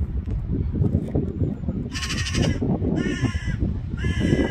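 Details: Black-billed magpie giving three rasping, nasal calls about one second apart, each a grating burst roughly half a second long, set against constant low-pitched background rumble.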